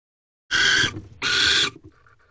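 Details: Barn owl at a nest box with owlets at 1:28 am on 19 April 2023, as the male delivers another meal; two loud, harsh, noisy screeches of about half a second each, close together, then quiet low rumbling.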